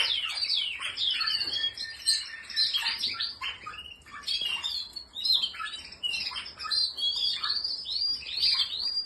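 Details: Spanish Timbrado canary with a varied song of chattering trills and quick whistled slurs in short bursts, with brief pauses between phrases.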